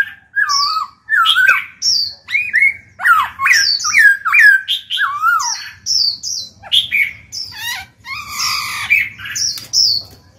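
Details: Caged black-throated laughingthrush singing steadily to coax young birds into song: rapid chain of looping whistled notes roughly once per second, rising and falling, interspersed with scratchy rasping squawks, with a low hum underneath.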